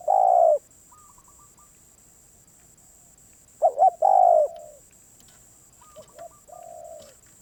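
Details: A very stubborn wild spotted dove gives a loud, hoarse, falling coo and then a full phrase of two quick notes and a drawn-out descending croo. Fainter, higher coos answer in the pauses over a constant thin high whine.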